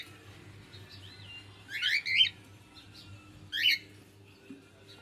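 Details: Pet cockatiel warbling two loud buzzy chirp clusters, with faint thin whistled notes between them and a steady low hum in the background.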